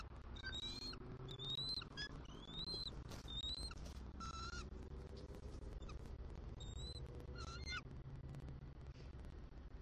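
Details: Bald eagle mates at a Southwest Florida nest swapping good-morning vocals during an egg-incubation shift change, December 2023: scattered high thin chirps and short twittering bursts over a continuous low hum of background noise.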